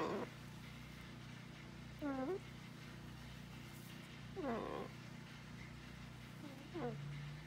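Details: Blue-and-gold macaw kept as a farm pet, talking to its owner: three separate 'hello'-like calls, each a falling then rising harmonic phrase, roughly two and a half seconds apart, over low hum.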